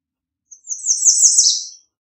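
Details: A lone American redstart phrase, high and sibilant, made of quickly repeated slurred notes that build in strength and end with a slight downward slur; no other sounds.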